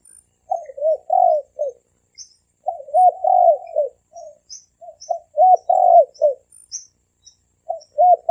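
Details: Spotted doves, male and female, cooing in the thổ kim style meant to provoke wild doves: low, mellow phrases of three to five hooting notes, one long and swelling, repeated about every two seconds, with faint high chirps.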